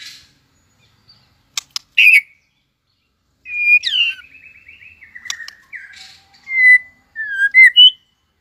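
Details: White-rumped shama in early breeding condition, flicking its tail during competitive singing: sharp clicks and a loud note, then a long varied phrase of trilled and warbling whistles, ending with clear downslurred and rising whistles.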